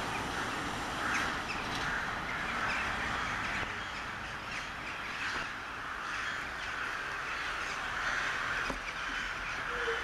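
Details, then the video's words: Crows gathering in a 'wedding' in Sevastopol, recorded on a Toshiba Camileo P30 camera: a dense, unbroken chorus of many overlapping harsh caws, steady for the whole stretch with no clear gaps between callers. "Wedding of crows in Sevastopol"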